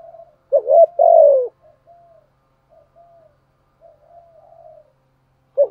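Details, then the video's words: Spotted dove used as a lure bird to provoke rival males, giving a short loud two-part coo near the middle followed by soft, faint trailing coos and near silence. "chim cu mồi thúc gù bài bản nhất hiện nay, chim cu gáy kích bổi hiệu quả nhất hiện nay"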